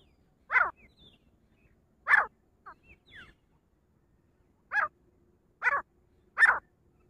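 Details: Female grey francolin giving loud, harsh, separate notes spaced one to two seconds apart, with faint thin whistles between them against a quiet background.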